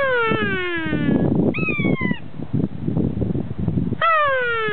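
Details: Wild kea at the Punchbowl Falls car park, Arthur's Pass, New Zealand, answering a person's imitation: loud, drawn-out descending wailing cries with rich harmonics, a brief level high note between, over steady rushing background noise.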